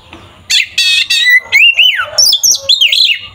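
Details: Oriental magpie-robin giving an aggressive, full song to provoke rivals. Opens with several loud, harsh buzzy notes, then flows into clear whistles that swoop up and down, ending in high, fast twisting phrases.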